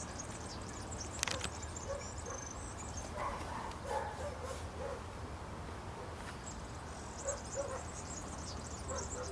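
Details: Singing European serin perched in branches at Zamudio, Txorierri, Bizkaia, 2 June 2019: two stretches of high, fizzy, tinkling trill separated by a pause, with lower-pitched short notes in between and a steady low hum beneath.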